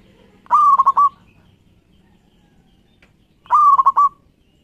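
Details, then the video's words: Zebra dove of a local Indonesian strain, its song played as a lure to get other doves singing; two rolling coo phrases three seconds apart, each opening with a sharp rising note then several rapid bubbling beats, little else heard. "Suara Perkutut Lokal Gacor Pas Buat Pancingan"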